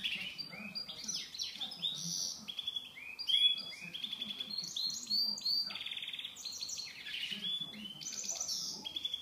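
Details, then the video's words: Goldfinch mule singing: a rapid, varied run of bright twittering notes, trills and short whistled phrases, with a low hum underneath. "mullet chardonneret"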